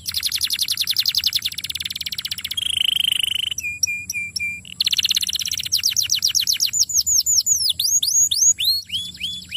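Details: Young canary song used as a lure for long rolls, opening with a fast buzzy roll, then a steady whistled trill, short repeated whistles, and series of sweeping down-slurred notes.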